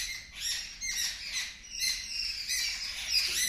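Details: A flock of birds shrieks in response to a watching kitten, a continuous tangle of shrill, scratchy chirps and squawks rising and falling in uneven waves.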